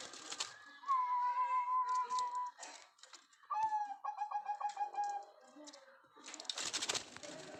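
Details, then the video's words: Zebra dove calling busily: a clear whistled note that rises then holds steady, followed by a fast series of beating, staccato coos on one pitch, with some rustling and clicking noises. "Perkutut Rajin Bunyi"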